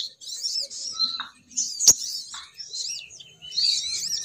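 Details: Continuous high twittering of a female sogon bird, used as a lure to draw males down, with one sharp click and brief thin whistles.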